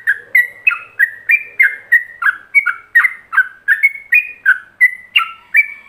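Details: Yellow-vented bulbul in continuous ropelan song for imitation by other bulbuls: loud, crisp whistled notes in a regular stream, around three each second, some sliding downward, with little else audible.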